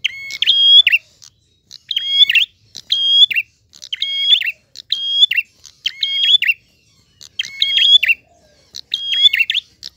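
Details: Prinia singing in the flowing 'ngalun' style with a clear voice, each phrase a high level whistle stepping down to a lower one, edged with dry buzzy notes, repeated around every second in otherwise quiet surroundings.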